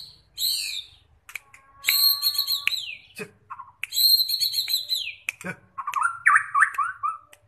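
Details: Song of a white-rumped shama prepared for contest: clear, sustained high whistles and tonal slurs alternate with short, lower notes and a descending whistled run near the end.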